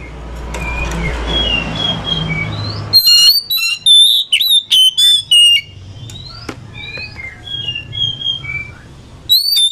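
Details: Oriental magpie-robin answering another bird, used to coax a sluggish bird into song: noisy muffled opening, then a bright series of sharp whistles, rattles and slurred notes, followed by scattered softer chirps and a final loud burst.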